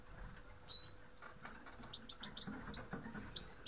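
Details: Grey-headed goldfinches making short, high chirps, one thin whistled note near the start, then a quick series of clipped notes in the second half, against low rumbling noise and a faint steady hum.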